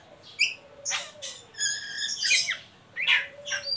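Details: Ngeriwik chatter of an Oriental magpie-robin, used to prompt untrained young birds to sing: loud raspy squawk-like bursts alternating with a clear whistled phrase, irregularly spaced with short pauses.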